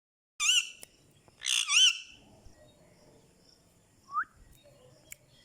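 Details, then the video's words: Pet Indian ringneck parakeet, energetic and talking in Urdu and Hindi, gives two loud, harsh, harmonic bursts of speech-like squawks early on. A short rising note follows near the four-second mark, then near quiet. "Talking In Urdu Hindi || So Energetic Ringneck Talking Parrot"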